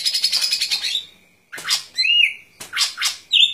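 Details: Golden-fronted leafbird singing: a rapid buzzy, squawking chatter of high notes, then a pause, then strong downward-sweeping harsh notes mixed with short rising whistles, one after another.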